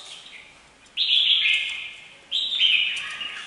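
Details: Two rich, slurred whistled phrases from a red-whiskered bulbul, each about a second long and separated by a brief pause, clear against faint background hiss.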